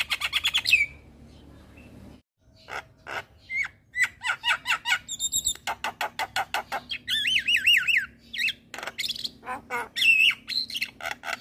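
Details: Javan myna in full song to provoke other mynas: harsh chattering bursts, a pause, then rapid repeated clicks and a rippling wavering whistle, with a faint low hum behind.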